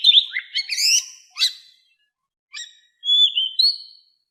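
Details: Oriental magpie-robin forest-voice song used for training captive fighting birds: quick, varied chattering notes and a sharp down-slurred call, a pause, then a long, level, pure whistle.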